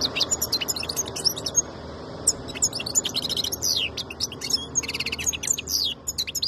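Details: Khaloui goldfinch delivering a rapid, unbroken stream of high tinkling twitters, slurred whistles and buzzy rattles with only one brief break.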